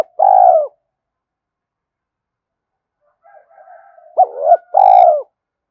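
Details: Spotted dove calling to prompt a wild dove to coo: a long hollow coo, then after a pause soft murmuring notes leading into another phrase of a short double coo and a sustained drawn-out one.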